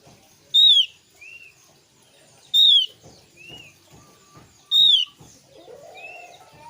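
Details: Javan grey-throated white-eye, used as a lure to make untrained white-eyes answer: loud, sharply descending high whistled notes about every two seconds, each followed by a softer arched whistle, with faint background tapping.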